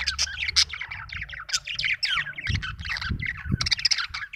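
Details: Busy budgerigar chirping, a stream of scratchy warbles and bright squeaks, with soft low knocking sounds in the background.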